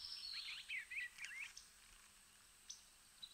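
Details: Eastern bluebird, an early spring arrival, singing a soft, quiet warble of short rising and falling whistled phrases packed into about a second and a half, then a few faint separate notes.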